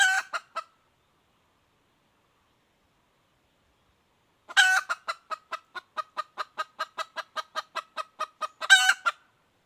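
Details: Female red junglefowl calling: a brief harsh burst with a few clucks, a pause of four seconds, then a loud raspy note followed by a long run of about twenty sharp clucks at an even pace, ending in another harsh squawk.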